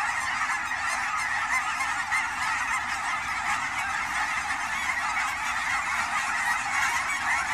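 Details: Fall flock of Canada geese at Fern Hill Wildlife Area, Oregon, Pacific Northwest; a constant wall of honking from many birds at once, steady and unbroken.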